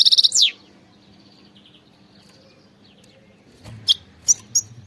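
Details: Wild European goldfinch (Carduelis carduelis) song: a quick burst of high, tinkling twitters, then after a pause a few sharp, high chips; faint background noise.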